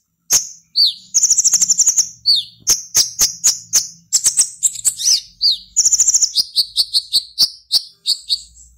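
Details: Caged black-naped oriole (konin) performing in an online singing competition, from Serang, Banten, Indonesia; rapid high chirps and buzzy trills, sharp repeated notes and several down-slurred whistles in quick succession.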